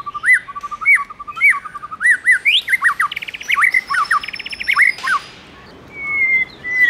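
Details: White-rumped shama, male sung up by a female: opening series of looping whistled notes repeated rhythmically, then buzzy rattles and steep downslurred whistles, followed by a thin high whistle and a soft pause.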